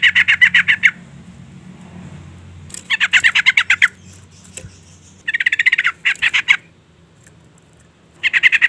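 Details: Female yellow-vented bulbul calling to provoke and lure a male: harsh, rapid chattering bursts of evenly spaced notes, each burst about a second long, repeated five times with pauses, over a faint low hum.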